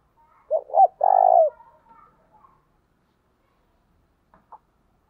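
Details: Spotted dove giving a luring coo at dawn in the native field voice: one phrase of two short hooting notes leading into a longer, steady low coo, then quiet apart from a brief faint note near the end.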